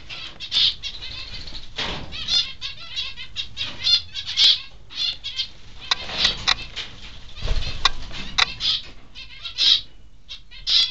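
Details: Peaceful Doves, a pair kept in a mixed aviary, flapping about restlessly; repeated rustling wingbeat bursts and scuffles through the whole stretch, mixed with many short bright chirps from finches in the same aviary.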